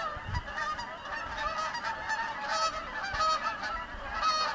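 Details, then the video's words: A flock of Canada geese flying over a house, honking continuously with many overlapping nasal honks, about one a second, over a steady background hiss. "Les outardes qui passent au dessus de ma maison!"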